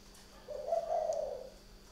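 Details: At night in a bird garden in Ba Vì, Hanoi, Vietnam, a spotted dove delivers one drawn-out, low, gently wavering coo of about a second against a quiet hum.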